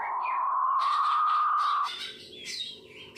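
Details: King quail, known locally as puyuh batu or pipikau ngorok: one steady, slightly rising, drawn-out tone lasting about two seconds, then fading into faint high chirps from other birds.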